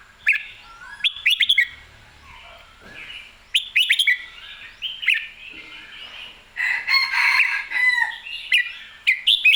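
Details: Red-whiskered bulbul in excited, clear song: bursts of bright sliding whistled notes separated by quiet gaps, ending in a long dense warbling run.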